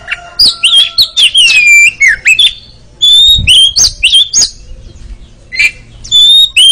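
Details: Oriental magpie-robin song used as a training recording to build a bird's mental strength and prompt rapid ngeriwik chattering; loud clear whistled phrases and sharp chips in bursts, separated by short silent gaps.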